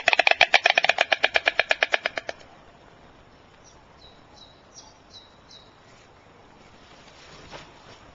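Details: Adult white storks at the nest, changing over care and feeding: a loud, rapid dry clatter of about seventeen wooden knocks in just over two seconds, then quiet with faint high chirps from a small bird.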